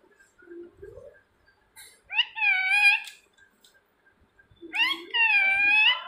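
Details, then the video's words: Indoor pet parrot calling its owner's name: a soft low syllable, then a loud, reedy, stretched speech-like call, repeated twice with a quiet gap between. "मिट्ठू मिट्ठू बोलने वाला तोता.. Talking parrot"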